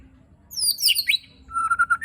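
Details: Rough-fill song of the white-rumped shama with shots and rattles: high, sharply descending squeaky slurs in a tangled burst, then a run of short, even, pure whistled notes.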